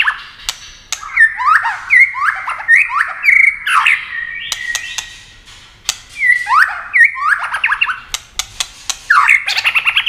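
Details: A white-rumped shama sings at speed in a competition, wing-flashing and tail-playing nonstop; a rapid string of loud, swooping whistles and slurred notes repeats in bursts, punctuated by crisp clicking sounds.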